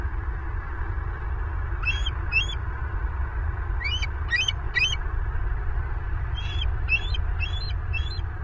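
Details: Bald eagles at a live-camera nest in Southwest Florida, April 14, 2023, late morning: high, thin chittering notes in short bursts of two to four, repeated several times over a steady low rumble of background noise.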